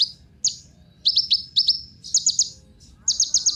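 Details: Kolibri ninja, a Van Hasselt's sunbird, giving bursts of sharp high chirps: a lone note, then pairs of quick rising zips, then rapid trills of very high notes in irregular groups with short pauses between.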